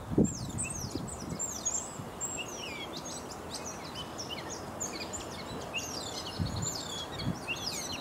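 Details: A gray catbird in Canada sings a steady, rambling jumble of squeaky, scratchy, high notes and short phrases, perhaps cat-like. Low rumbles of wind or handling noise sound underneath.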